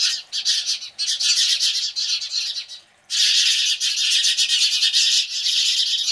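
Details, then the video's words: Loud screeching alarm calls of house sparrows reacting to a Cooper's hawk. Dense, harsh, high chatter runs in long bursts, broken by a near-silent gap about midway, then resumes continuously. "House Sparrows Reaction to Cooper's Hawk"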